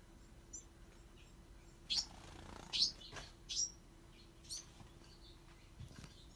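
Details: Bewick's wren fledglings calling: short, very high thin chirps and squeaky notes given irregularly, with a few louder bursts near the middle, over quiet background hiss.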